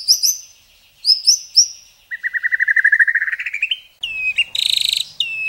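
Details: Murai batu, the white-rumped shama, singing a varied phrase: high up-slurred whistles, then a fast, steady buzzy trill that climbs slightly, ending with loud ringing whistles and a harsh rattling burst.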